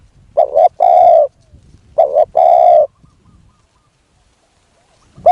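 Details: Decoy spotted dove calling to lure a wild dove, giving two mellow cooing phrases. Each is a quick double note followed by a drawn-out resonant coo, then quiet.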